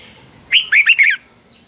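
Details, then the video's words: Red-whiskered bulbul fighting song, morning song used in training: a single rapid phrase of four whistled notes sliding up and down, over a soft background hiss. "Luyện chào mào hót sáng hay Dùng để thúc bổi căng hót, ép giọng rất hay, chào mào hót đấu"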